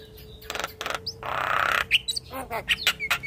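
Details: Young Asian pied starling giving a harsh rasping burst between short noisy notes, squeaky whistles and chattering, against a faint steady hum.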